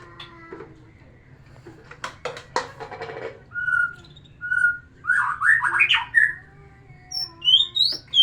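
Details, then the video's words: White-rumped shama song meant to stir a female into breeding condition: a few clicks and rattles first, then clear whistled notes and looping warbled phrases rising toward the end. "terapi kicauan murai batu biar pancing birahi betina"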